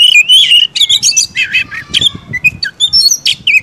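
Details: Oriental magpie-robin (kacer) singing vigorously, used as a lure to rouse other magpie-robins: loud rich phrases of clear whistles, rising and falling slurred notes and harsh chattering bursts, tightly packed with brief gaps, faint room noise beneath.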